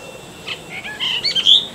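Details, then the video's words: Brahminy starling song fragment: a short jumble of varied squeaky and slurred notes, rising in pitch and loudness toward the end, over a steady faint hiss. "Brahminy Myna or Brahminy Starling Song"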